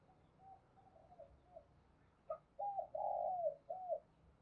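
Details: Spotted dove used as a decoy to call in wild doves, cooing. Soft, faint coos come first, then a louder burst of three smooth rounded coo notes near the end over a low background hiss.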